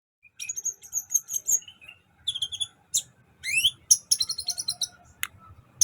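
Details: Sunbird song in a training recording for cage birds, the bird singing vigorously: rapid bursts of very high, thin chirps and twittering trills, some rising sweeps, broken by short pauses, with faint low thumps behind.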